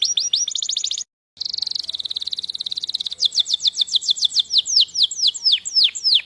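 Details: Canary singing rapid high trills, broken by a short pause, then a long even rattle followed by a slower series of descending swept whistles.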